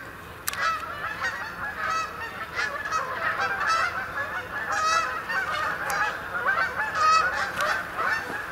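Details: Many Canada geese arriving to roost overnight on the main pond, Sapsucker Woods, Ithaca, New York, 28 October 2017; steady overlapping honks and nasal calls from a large flock, louder clear honks standing out every second or so.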